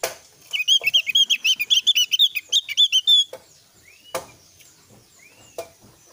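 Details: Oriental white-eye, called opior, giving a lure song to draw replies from other Javan white-eyes. A fast three-second volley of high, bright chirps is followed by knocks and a couple of soft rising whistles.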